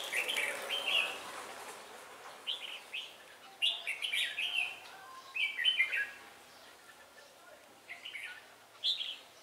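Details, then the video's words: Red-whiskered bulbul singing as a trapping decoy at Ba Thá, 17 December 2016, said to be quick-beaked and voice-shifting: short, bright warbled phrases delivered roughly every one to two seconds, each a quick slurred cluster, with quiet gaps between. "Bẫy chào mào Ba Thá mau mỏ đảo giọng"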